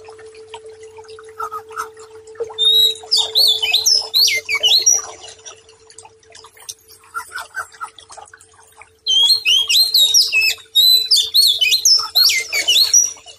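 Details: White-rumped shama song used as a training and calming recording: two bursts of rapid, high, varied whistles and chips separated by a quieter stretch of soft notes, over a steady low electrical hum.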